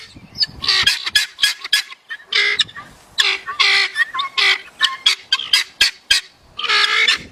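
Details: Guineafowl calling: harsh, rasping bursts repeated in a quick rhythmic series, several short squawks close together, then a longer grating note at the end.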